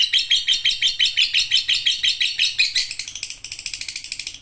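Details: Lovebird chattering at length: rapid, rhythmic harsh notes in a steady pulse, loud at first and then thinning and fading slightly toward the end.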